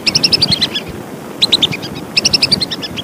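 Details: Lesser whistling duck calls used as a hunting lure: rapid runs of clear, high whistled notes, about six to eight per burst, in three bursts over a low background rumble.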